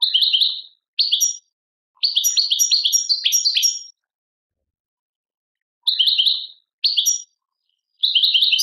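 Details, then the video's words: Algerian European goldfinch, song labelled Tadmait, giving clipped twittering fragments: short paired chirps and a run of quick tinkling notes, broken by silences, with phrases resuming near the end. "chardonneret chant tadmait"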